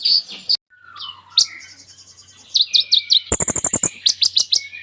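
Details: Kolibri ninja sunbird singing actively, its song packed with imitated phrases: high thin whistles and slurred notes, then a dense run of sharp rapid chips and ticks repeated in quick bursts toward the end.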